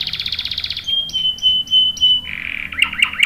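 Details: Canary in full song with long rolls for luring and tutoring young males: a rapid high trill, then a series of pure, steady whistled notes, ending in a lower buzzy roll and quick upslurred chirps.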